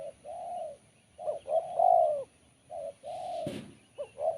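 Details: Spotted dove with a sharp, crisp voice in the BL Kuk 1 style. Steady low coos and short double hoots follow one another closely, interrupted once by a sharp knock.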